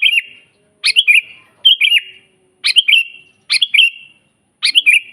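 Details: Wild sooty-headed bulbul delivering constant lively song, a master recording for teaching caged kutilang and attracting wild ones: six brisk, chortling whistled phrases, each three or four liquid notes, repeated roughly once a second.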